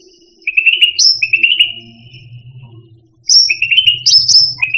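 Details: Cucak rante songbird delivering fast buzzy trills and rising high whistled notes in two bursts, with a low electrical hum underneath.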